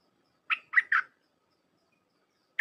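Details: Red-whiskered bulbul of the 'dok taeng' kind, dense 'dok' song for teaching young birds: three fast, throaty, chirruping notes in half a second, a pause, then the start of another note.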